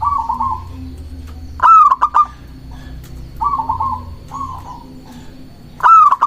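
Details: Local zebra dove song used as a lure to draw and provoke rivals and stir breeding drive: bright rising whistled notes near the start of phrases, then rolling trilled coos, repeated about every four seconds, with a faint steady hum.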